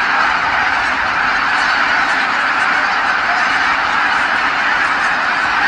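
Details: As the sun sinks behind the hills, geese stream back to Kabukuri-numa marsh calling in unison; many honking voices blend into one constant, busy clamour without any break.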